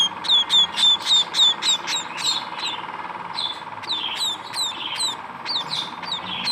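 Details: Young munias calling: quick repeated high cheeps sliding downward, fast and regular at first, then softer and more scattered, with a low steady hum behind.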